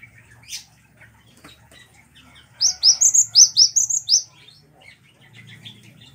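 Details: Cinereous tit, a cage bird used as a master recording to train others: a brisk string of about eight high, rising chirps lasting under two seconds, framed by faint ticking and soft chatter.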